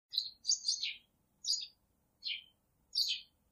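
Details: Three budgerigars give five bursts of high, scratchy chirps over about three seconds, some trilling and falling slightly in pitch, against a quiet background.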